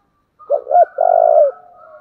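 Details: Spotted dove's 'thổ'-style calling: two short hooting notes, then a long trilled coo. A softer drawn-out coo trails after it.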